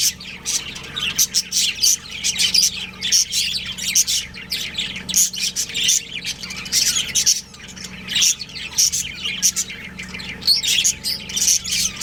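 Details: Pet budgerigar breeding pair giving long runs of rapid scratchy squawks and chirps, nearly continuous chatter with brief gaps, over a low droning hum.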